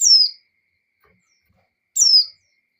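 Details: Breeding female white-eye calling the male, giving two high, sharp downslurred whistles about two seconds apart in otherwise quiet surroundings.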